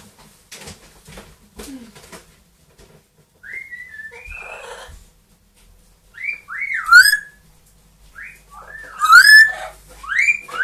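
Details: Two pet parrots, a grey parrot aged two and an Amazon aged one, indoors: looping, sliding whistles that rise and fall, growing louder and more elaborate, with soft clicks and rustling early on.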